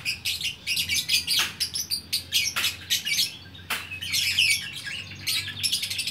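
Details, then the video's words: Lovebird at Bukittinggi, West Sumatra, chattering busily with high, scratchy, buzzy notes in quick succession, interrupted by a few sharp clicks or taps. "Burung Lovebird Gacor Orkestra"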